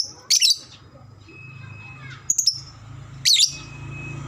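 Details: Lovebird calls used to prompt other lovebirds into long chattering: three short, sharp, high chirp bursts spaced about a second apart over a low steady hum.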